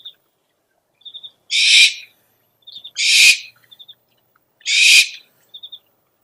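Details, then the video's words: An owl gives three harsh, hissing screeches about every one and a half seconds, with soft, quick ticking notes between them; the recording is used as a lure call for owls. "SUARA PIKAT BURUNG HANTU - SOUND CALLING OWLS"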